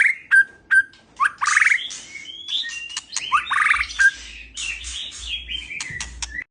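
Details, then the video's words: A male white-rumped shama in an aviary sings to call a female for mating, opening with sharp clicks and short whistles, then swelling into loud fluty phrases, slurred notes and scratchy chatter. "Murai jantan mulai memanggil betina mengajak kawin !!"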